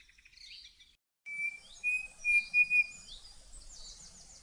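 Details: Cerrado birds of the Brazilian savanna singing: long steady whistled notes near one pitch, with high twittering trills and a fast buzzy descending series at the end.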